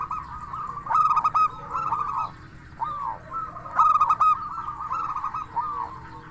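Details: Indonesian local zebra dove in song, used as bait to make other zebra doves call back. Two loud bursts of rapid stuttering coos about three seconds apart, with softer rolling coos between them.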